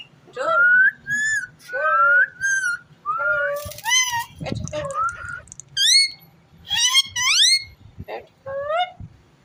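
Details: Talking ringneck parrot indoors, uttering a steady string of speech-like whistled syllables in two-note pairs, some rising sharply, roughly one every second, with a low background hum.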